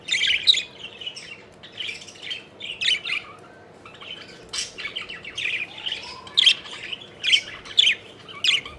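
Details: Pet budgerigars playing and flying chirp in distinct short bursts of raspy, warbled notes, roughly every half-second to second, against a quiet background.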